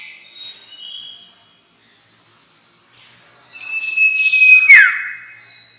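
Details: Lure call of the sirtu for trapping: scattered short high chirps and buzzy notes with a pause, then a brief level whistle ending in a sharp click and falling slur.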